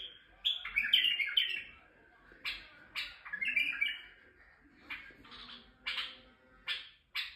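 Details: Male White-eared bulbul in Turkey singing to stimulate females: short, bubbly whistled phrases in bursts about every second with brief pauses, some sharper chirps and a faint low hum underneath.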